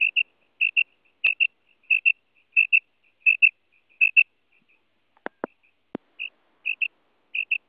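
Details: Female quail, Madi Batair, calls in rapid paired high chirps repeated about every half second, with a few sharp clicks partway through.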